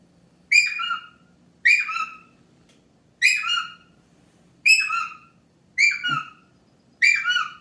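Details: A pet male Indian ringneck parakeet making silly noises gives six bright, harsh squawks with a falling tail, roughly one every second and a half, over a faint low hum.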